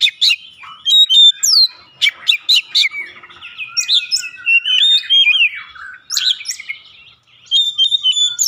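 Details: Oriental magpie-robin singing for use as a lure; rapid sharp notes, twittering and warbled whistles in long varied phrases with short gaps between bursts.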